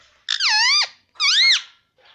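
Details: Pet parrot talking indoors, known for saying "mummy" and "papa": two loud, clear two-part utterances, each a harmonic, bending voice, dipping and then rising sharply, separated by a short pause in a quiet room.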